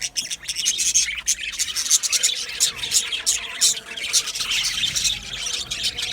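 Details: Aviary flock of budgerigars producing a constant high, scratchy chatter of overlapping chirps and warbles, busy and unbroken throughout.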